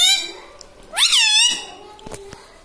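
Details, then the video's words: Talking parrot kept at home, saying words like mummy, papa and radhe radhe; a long, high, nasal voiced tone, then a sharply rising and falling speech-like syllable, ending with two faint knocks. "cute talking parrot"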